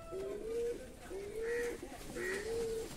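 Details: ['A fancy domestic pigeon in a loft gives three clear, low coos about one second apart. Each coo slides upward and ends in a held note, with a faint voice-like murmur behind.']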